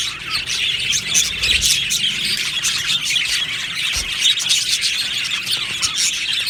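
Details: Many happy budgies chirping together in an aviary, producing an unbroken, high, scratchy twittering chorus with scattered sharper chirps and a couple of soft low thumps.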